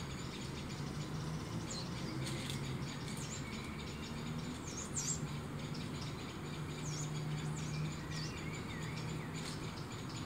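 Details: Two young tawny owls searching for food in a tree opposite a balcony; faint wavering squeaky calls, with sharp high squeaks from blackbirds reacting to the owls and a steady low hum underneath.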